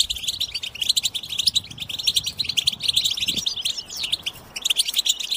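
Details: Collective European goldfinch chatter meant to stimulate singing: continuous bright, tinkling twitters from many birds, thinning briefly near the end before resuming.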